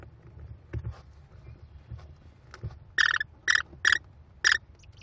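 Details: American kestrel mother feeding five chicks in a Cornell nest, 18 May 2021. After quiet shuffling, four harsh grating squeals come in quick succession, about half a second apart.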